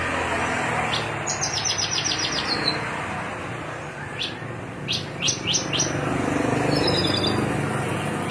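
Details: Javan bush lark, Cilacap line, cing ciu song: a rapid stuttering trill of high notes, then scattered sharp chips and a final buzzy phrase, partly masked by heavy broadband noise.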